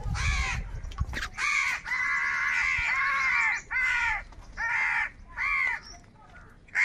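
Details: Crows squabbling over food, calling loudly in anger: a run of about seven hoarse, grating caws, one drawn out for over a second, with a low thump at the start.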